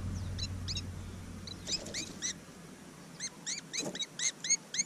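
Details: Willie wagtail fledglings recorded up close on a GoPro Hero 5 near Mannum, South Australia: bursts of short, arched, harmonic chirps repeated several times a second, with a low engine hum early on.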